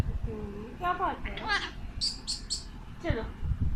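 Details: Male Alexandrine parakeet kept as a pet, speaking Urdu/Hindi words to his reflection: a few warbled speech-like syllables followed by three quick, sharp high chirps and a final brief squawk, indoors.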